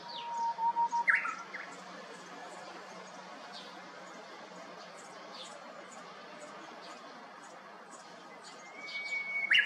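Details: Japanese bush warbler in a cypress at an empty house next door, 7 May 2021: a low held whistle and brief notes open, a long quiet gap of distant chirps follows, and a rising whistle with a sharp note closes.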